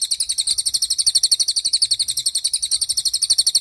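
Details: Cililin song for training young and molting songbirds: a continuous, sharp, very high trill of fast, evenly pulsed notes, about four clear beats each second.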